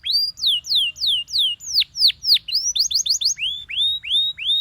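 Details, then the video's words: A Belgian canary sings in the morning, repeating loud falling slurs about three per second, then a quicker run of rising notes and a series of upward-arched whistles, clean and clear. "Belgian Canary Singing In The Morning"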